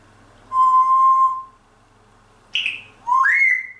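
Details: Grey parrot whistling part of a Helene Fischer pop song: a long, steady, pure whistled tone, a pause, a short falling squeak, then a whistle that slides upward and is held, with a faint low hum behind.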